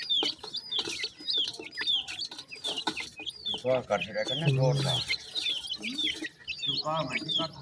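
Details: Baby Sindhi partridge chicks calling in a Pakistani field: sharp, high, falling peeps repeated rapidly, mixed with a brief low murmuring sound and scattered clicks in the middle of the recording.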